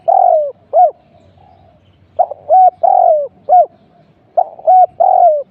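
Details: Spotted dove used as a decoy for trapping, cooing in repeated phrases: a short note, an arched hoot, a long falling coo, then a final arched hoot. Three phrases are separated by pauses of about a second, with a faint low rumble beneath.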